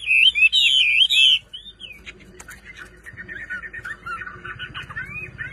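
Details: Chinese hwamei kept as a hobby bird in Vietnam, singing a loud, rich whistled phrase of rapid slurred notes for over a second, then quieter, lower warbling chatter continuing to the end.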